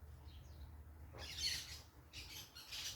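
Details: Parakeets making noise outdoors: two bursts of harsh, broadband, scratchy squawks, the first around the middle and a second, longer series near the end, over a low steady background rumble.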